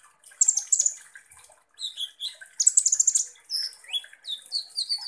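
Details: Kolibri ninja sunbird song used as a lure to provoke other birds. Two bursts of rapid, high buzzy trilling alternate with quick chirps and short rising whistled notes.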